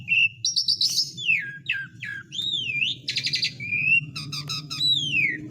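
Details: Asian pied starling song used as a lure to get lazy, silent birds singing again: a varied run of loud whistles, rising and falling slurs, buzzy harsh bursts and squeaky notes, with a low hum underneath.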